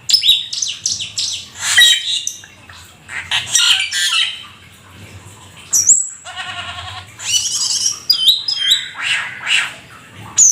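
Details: Vigorous mimicry-rich singing by a Black-winged starling, described as rare and exotic: harsh chatters and rasps, a buzzy rattling trill, bright high whistles and quick stuttered notes in varied bursts.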